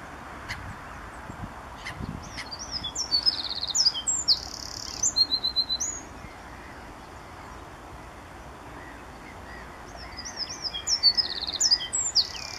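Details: Eurasian wren song, one of several wrens singing at RSPB Saltholme on the morning of 1 April 2014, captured with a Canon SX50 HS: two bursts of rapid, high, piercing notes and trills about seven seconds apart, with a few faint clicks early on.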